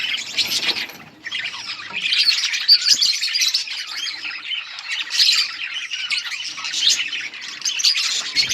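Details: A budgie colony chirps while eating: a short burst of chatter, a brief lull, then a sustained wall of high warbling twitters and squawks from many birds.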